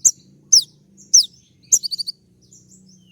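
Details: Sunbird called kolibri ninja, male courting a female with full-fill tembak song. High sharp downslurs repeat about every half second, then a short quick series of four clipped notes, over faint low background noise.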